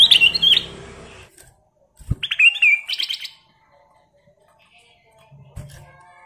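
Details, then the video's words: A kept Golden-fronted leafbird (kutilang emas) gives two quick bursts of bright, high whistled and warbled phrases separated by a pause, with a few low knocks in the background. "kutilang emas Gacor full isian"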